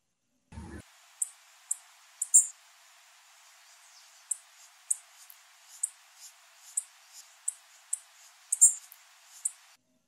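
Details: Repeated thin, very high chips from a female blue-black grassquit, about one every half second to second, some louder and doubled, over faint background hiss.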